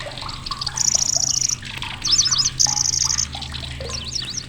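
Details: Grasshopper warbler, a migratory bird visiting Indonesia, delivering loud, shrill singing. Two long, high, even reels alternate with bursts of rapid zigzag whistles, and softer chirps sit over a low steady hum.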